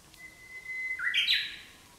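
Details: Japanese bush warbler singing in spring in the Japanese countryside during the breeding season: a long, steady, level whistle, then a quick, higher, bright flourish of warbled notes that rise and then fade.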